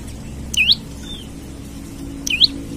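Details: Olive-backed tailorbird calling to lure or train other birds: two loud, sharp whistled notes dipping then rising, about two seconds apart, with a faint thin whistle between and low background hum.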